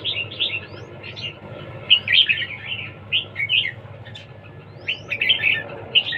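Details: Red-whiskered bulbul singing in competition, giving repeated lively bursts of warbled, whistled phrases with brief upward-sweeping notes, every second or so, over faint low background noise.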